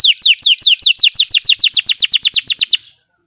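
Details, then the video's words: Belgian canary sings a rapid trill of about sixteen bright, downward-sweeping whistled notes, roughly six per second, lasting under three seconds; used as training song to make other canaries sing. "Belgian canary singing makes your canary sing"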